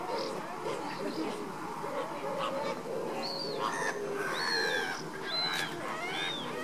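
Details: Caribbean flamingo: loud honking calls, several with clear arching upper notes. They sound in quick succession over a chattering backdrop of lower, grunting flock calls.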